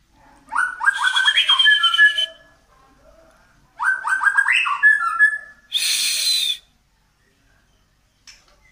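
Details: White-rumped shama of the Medan type, a long-tailed bird pushing its tail while singing continuously. Two bright phrases of stepped, rising whistled notes, then a short harsh rasping burst.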